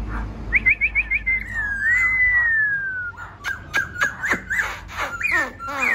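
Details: Wild-caught laughingthrush song: a quick whistled trill leading into a long, slowly falling slurred whistle, followed by clicks, sharp notes and downslurred whistles.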